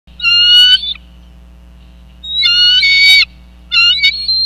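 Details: Bald eagle at a nest in Northeast Florida, the male bringing a fish: high, thin squealing calls with bright harmonics in two loud bursts, then a third shorter burst, over a steady low hum.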